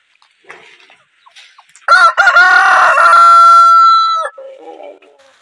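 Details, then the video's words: Loud crow from a desi rooster: broken, rough opening syllables, then a long sustained note that fades out, with quieter clucking before and after. "Aap ko Mere Murge ki Awaz kasi lagi"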